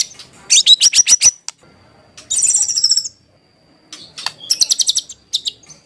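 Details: White-rumped shama singing as a lure to trigger an answer, good for tutoring: crisp stuttered high notes, a dense ringing trill, a pause, then another rapid trill of sharp repeated notes.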